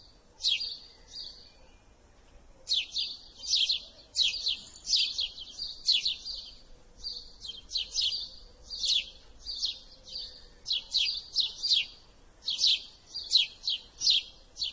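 House sparrows chirp steadily in short, bright, slightly harsh notes, clustered in quick bursts about every second, with a faint low hum behind.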